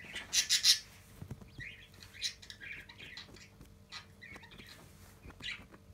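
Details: Pet budgerigar angrily scolding a pet Japanese quail that pecked at it while playing, the quail ignoring it; a loud burst of harsh, high chirps opens, followed by scattered short chirps and warbled notes.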